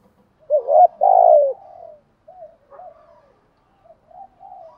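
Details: Spotted dove decoy birds, male and female, giving the calling coo. One strong phrase of a short rising note and a longer falling coo, followed by faint, scattered soft coos.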